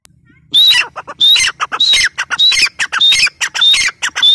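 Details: Female teetar, a francolin, giving loud harsh squawking calls: each starts with a high thin whistle, then breaks into a rapid series of raspy notes, repeated steadily about every three quarters of a second with no other sounds.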